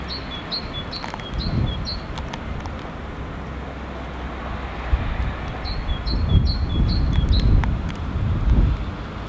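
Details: An unseen great tit in Helsinki, Finland, in February 2016 sings its two-syllable song: a bright two-note phrase, high then lower, about twice a second, in two runs of five over a steady low rumble.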